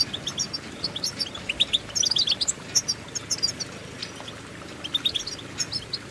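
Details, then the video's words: Goldfinch tune over steady hiss: bright twittering notes and quick chirp runs, some clustered into short ringing bursts, over a broad noisy background. "innovative Ways To impress The Goldfinch With Bird Melodies"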